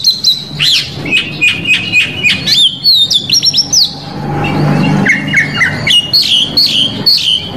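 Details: Provocation song of an Oriental magpie-robin in Indonesia, rich in filler phrases: quick clusters of high whistles and trills, a short noisy gap, then repeated lower whistled notes and sharp rising chips.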